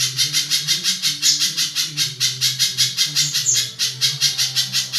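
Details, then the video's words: Spiderhunter with a harsh, rasping voice likened to a kingfisher's, kept as a tutor bird for training other songbirds: fast, rough chattering notes repeated almost three times a second in a steady unbroken run, with a low hum underneath. "Burung pijantung gacor panjang kasaran"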